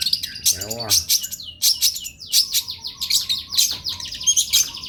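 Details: Long-tailed shrike masteran song: a lower, nasal, wavering note near the start, then dense high chirps and short falling whistles repeated at an uneven pace, with a faint steady tone beneath.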